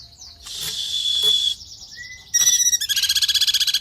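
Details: Cungkok singing energetically with clear, tightly packed phrases, recorded for training other songbirds: a sweeping high whistle, buzzy bursts, a short rising note, then a fast even series of sharp chirps.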